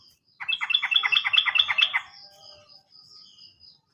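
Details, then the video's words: Sooty-headed bulbul song meant to get silent birds singing: a fast rattle of about twelve bright, clipped notes in under two seconds, fading into quiet scattered notes. "PANCINGAN BURUNG TRUCUKAN MACET BUNYI ‼️ bisa juga untuk burung Trucukan bahan"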